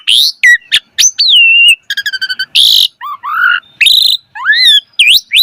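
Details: Javan pied starling's rich, energetic tutor song for young starlings: sharp chips, a falling drawn whistle, a rapid rattling trill, a harsh buzzy burst, then rising upslurred whistles.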